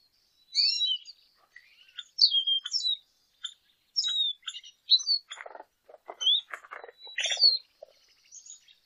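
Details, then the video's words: Lesser goldfinch singing a long jumbled medley of high chirps, slurs and twitters, with some lower scratchy, rasping notes mixed in toward the middle. "Jilguero Aliblanco Canto - Lesser Goldfinch Song - Lesser Goldfinch Call"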